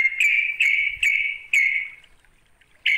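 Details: Rival-calling trucuk, the sooty-headed bulbul: four short buzzy, scratchy notes in quick succession, a pause, then one more abrupt note.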